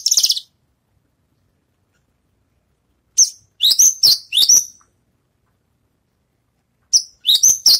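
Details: Javan bush lark, finished moulting, practising its songs in short scattered phrases: a brief high trill, then clusters of sharp twittering notes after long silent gaps.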